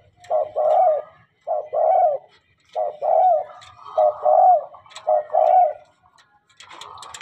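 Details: Tame, frequently singing spotted dove gives repeated low, husky coo phrases. Each phrase is a short note and then a longer drawn-out coo, repeated about every second and a half in a quiet indoor setting.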